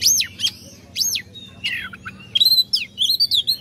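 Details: Oriental magpie-robin singing to provoke rivals: clear rising-and-falling whistled notes, a few rough slurs, then a quick run of sharp high chirps toward the end.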